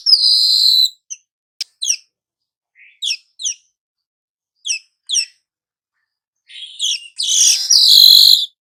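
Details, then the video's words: Song of a young weaver, an active ngerol singer used as a tutor bird for other species: a high hiss, then scattered pairs of short sharp chips separated by silences, ending in a loud harsh buzzy sizzle. "Burung manyar muda AKTIF NGEROL pancingan segala jenis burung"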